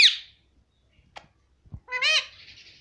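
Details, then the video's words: Indian ringneck parakeet kept at home, talking nonstop "mummy": a harsh squawk-like onset, a few clicks, then a strong harmonic syllable that rises and falls, trailing into a soft hiss. "cute Indian ringneck parrot talking || no stop mummy bolne vala"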